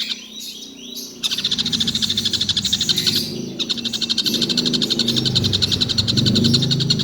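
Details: Collared kingfisher that calls all day without stopping: after a brief scratchy opening, a rapid harsh rattle of repeated notes kicks in, pauses briefly, then resumes, over a low rumbling background.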